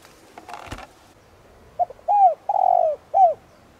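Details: Spotted dove used as a calling decoy bird to provoke cooing, giving a cooing phrase: two short soft notes, an arched coo, a long drawn-out falling coo and a final arched coo; a brief rustling burst before it.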